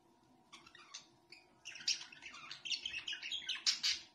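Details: Pet budgerigars chattering: a few short scattered chirps, then from midway a dense, continuous warbling babble of scratchy trills and squeaky notes, with a faint steady low hum underneath.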